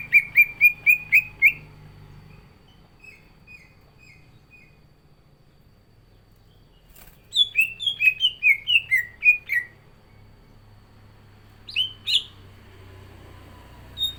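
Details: Green leafbird kept in a cage sings hard. A fast burst of chirpy whistles is followed by soft notes, then a tumbling series of bright descending whistles and two sharp upslurred calls.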